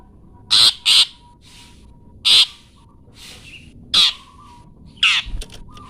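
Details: Long-tailed shrike giving its 'toet toet' notes for songbird training: five loud, rasping, broadband bursts, two in quick succession and then single notes about every one to one and a half seconds, with faint level whistles behind.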